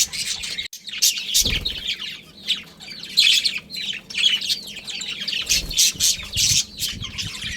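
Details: Budgies of a breeding pair in a colony keep up dense chirping and warbling with frequent harsh squawks, over occasional low thuds of movement.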